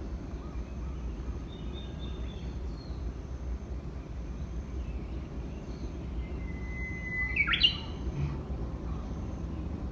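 A Japanese bush warbler gives one long, steady whistle, then a quick, bright flourish of notes, over a constant low rumble of background noise.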